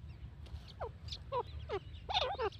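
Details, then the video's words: Grey francolin calling: a few sharp downslurred notes, some doubled, over a steady low rumble of background noise. "dakhni teetar ki awaz| teetar ki awaaz"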